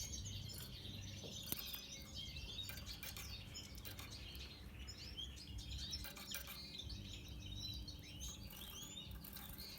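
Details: Red siskin of the natural pastel colour form, singing a busy, high twittering stream of short chirps and warbled notes, with frequent clicks and rustling patter throughout.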